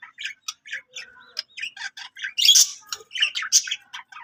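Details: Pet budgie warbling in a fast string of chirps, clicks and squeaky notes, with a few harsher squawk-like bursts in the middle, no other sounds.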